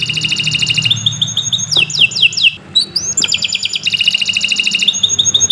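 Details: Canary in continuous song used as a tutor for other birds: fast bubbling trills broken by sharp upslurred and downslurred whistles, over a steady low background hum.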